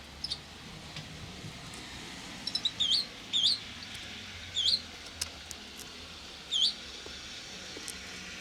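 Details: Nestling barn swallows from a brood of four, recorded 1 April 2020 as strong wind disrupted evening feeding: quiet, spaced, high upslurred chirps, single or paired, roughly every second or two against a soft hiss.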